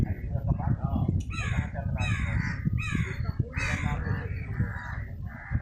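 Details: Crow cawing as it feeds near a squirrel, a series of loud, hoarse, drawn-out caws in quick succession, roughly five strong calls, over heavy low-pitched background rumble.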